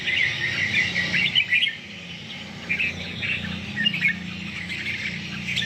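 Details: Red-whiskered bulbul kept as a caged songbird for competition pours out continuous high warbling and chirping phrases, loudest in the first two seconds, over steady background hiss.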